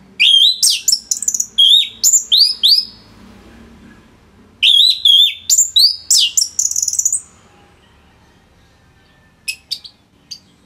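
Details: Orange-headed thrush from Singaraja, Bali, singing densely as a model for other songbirds: clusters of bright whistled notes with falling slurs, two long bursts split by a pause, then a few faint chips.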